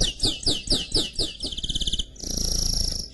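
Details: Song of a canary x goldfinch hybrid, opening with a series of rhythmic downward-sweeping whistled notes about four per second, then a long even buzzing trill, low noise underneath.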